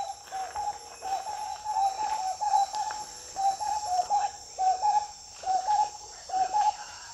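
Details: Marbled wood quail calling: a rhythmic run of low whistled notes in quick paired and tripled phrases, over a steady high background hum.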